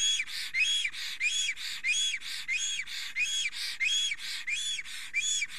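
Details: Black stork male in Estonia trembling and singing at the nest as a female approaches, spring morning, 30 April 2020. Regular hissing notes carrying arched whistles, about ninety a minute, in a fast alternating rhythm.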